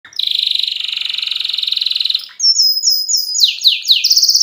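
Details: Young canaries in excited song: a long, fast buzzy trill held for about two seconds, then quick bright whistled notes and rapid falling sweeps repeated at a high pitch.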